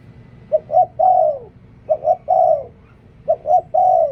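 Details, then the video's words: Spotted dove used as a decoy bird, giving three cooing phrases: two short rising coos followed by a longer, drawn-out coo that falls at the end, with the phrases spaced about a second and a half apart. "เสียงนกต่อ นกเขาใหญ่"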